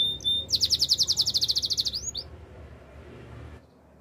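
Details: Canary singing for training purposes, a fast, evenly repeated high rolling trill of about fifteen notes lasting a second and a half, then fading to near silence.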